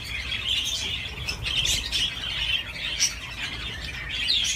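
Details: Budgerigar at play on a swing: a run of bright twittering notes with occasional sharper squeaks, and brief rustling noises in between.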